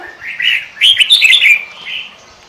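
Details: Sooty-headed bulbul (kutilang) lure song in the pikat gacor style: one short phrase that opens with a soft slurred whistle and breaks into a bright, rapid chatter before fading.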